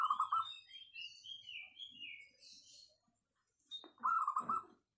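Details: Local wild zebra dove noted for its clear, dense voice, used as a lure: two short trilled coo phrases, about four seconds apart, mixed with higher whistled and sliding notes from other birds.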